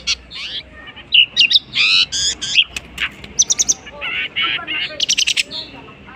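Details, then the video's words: Long-tailed shrike mimicking other birds with a varied sequence of harsh, buzzy, rasping phrases and squeaky notes. Several layered, noisy calls and a closing cluster of sharp high chips complete the passage. "burung cendet bisa menirukan jenis burung apapun"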